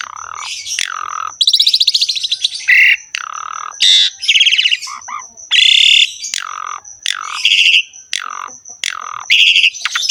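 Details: Asian pied starling in full song with lavish fill-in phrases: harsh grating bursts alternate with loud downward-swooping whistles, delivered in choppy bursts about every second, over a persistent thin high tone.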